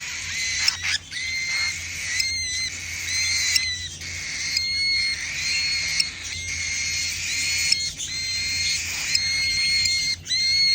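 A baby cockatiel gives insistent, raspy begging calls, repeated in quick runs with brief pauses.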